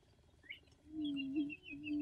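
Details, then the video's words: Attwater's prairie-chicken giving a low, droning boom, a sustained hollow hoot with a slight wavering dip midway, while thin high chirps of other birds sound above it. "Attwater's Prairie-Chicken booming"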